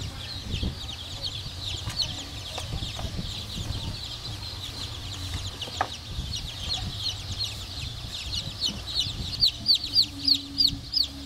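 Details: Black Cochin bantam chicks giving rapid high peeps, many birds calling together; near the end one chick's louder downslurred peeps repeat about twice a second above a low background hum.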